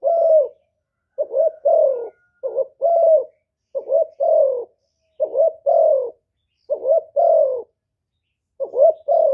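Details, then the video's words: Spotted dove used as a decoy in Cà Mau, Vietnam, giving provoking coos for wild doves; paired hollow notes, short then long and falling, in regular phrases with pauses of about a second. "CU GÁY MỒI ĐẤT, CU ĐẤT GÁY, CU CƯỜM GÙ KÍCH BỔI, TIẾNG CHIM CU MỒI"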